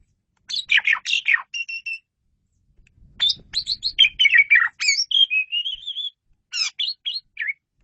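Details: Asian pied starling masteran song: rapid chattering chirps, steady whistled tones, then a long run of warbled, descending and rippling notes with a few scattered chirps at the end.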